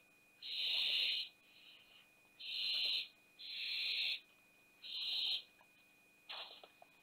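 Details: Barn owls at Théding, France, 20 September 2021, around the youngest owlet's fall from the nest box. Loud raspy hisses of about a second alternate with quieter, softer hisses and short pauses over a faint steady tone.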